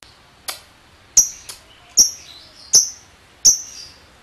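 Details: Ngetik ticking of a lovebird, part of a lure for other lovebirds: six sharp, high, clipped tick notes at irregular intervals of roughly half to three-quarters of a second, with quiet between them.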